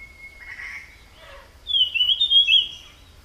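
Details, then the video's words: Jungle flycatcher (tledekan) in the wild: a faint thin whistle and soft chatter, then a loud, sweet, high warbled phrase of rapid slurred notes lasting about a second. "𝗞𝗶𝗰𝗮𝘂 𝗕𝘂𝗿𝘂𝗻𝗴 𝗧𝗹𝗲𝗱𝗲𝗸𝗮𝗻 𝗠𝗲𝗿𝗱𝘂 𝗝𝘂𝗻𝗴𝗹𝗲 𝗙𝗹𝘆𝗰𝗮𝘁𝗰𝗵𝗲𝗿 𝗔𝗹𝗮𝗺 𝗟𝗶𝗮𝗿"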